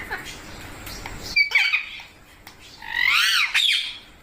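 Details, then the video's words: Green pet parrot (mitthu) gives a short clipped note, then a loud harsh arching squawk lasting about half a second after a quiet gap, in a small indoor room. "Parrot Natural Sounds Compilation/ Parrot Talking Videos|Parrot Ki Awaaz|Mitthu Ki Awaaz|"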